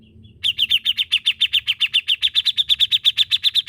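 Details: Grey-cheeked bulbul (cucak jenggot) singing vigorously in the gacor masteran style: a fast, steady series of about twenty-three sharp, high chipping notes, roughly six per second, after a short quiet start with faint low background hum.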